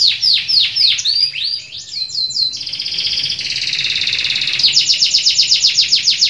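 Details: A canary delivers fast descending whistled sweeps, then a sustained buzzy trill, ending in a rapid evenly repeated series of sharp high notes.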